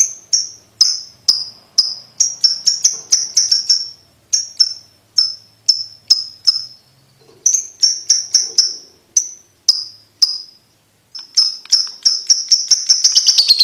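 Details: Ticking call of a lovebird, played to train young lovebirds to trill fast: sharp, high clicks in irregular bursts, mostly one to four per second, with brief pauses, speeding into a rapid rattle at the end.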